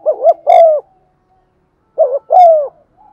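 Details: Lure spotted dove giving its urging coo in a set pattern: a fast two-note coo then a sustained falling coo, two phrases about two seconds apart with silence between.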